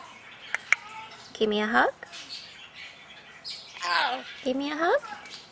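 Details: Red-sided Eclectus parrot, a male pet hatched in 2008, vocalising as its owner tickles it; three harmonic speech-like phrases with swooping, bending tones, each under a second long, over faint background music.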